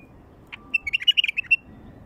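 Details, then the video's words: One full, fluty, rippling phrase from a wild bulbul: a soft opening note, then about ten rapid whistled notes rising and falling, about a second long. Intended to attract wild bulbuls. "تغريد بلبل وحشي لفتح البلابل الوحشية"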